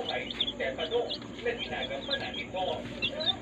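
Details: Baby chicks in a brooder, day old, giving a steady scatter of thin high peeps over a soft background hum.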